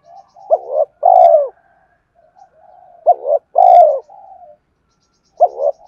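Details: Spotted dove song for luring wild doves: two complete phrases of a clipped double coo leading into a long, smooth, falling coo, with a third phrase starting at the end. Quiet background.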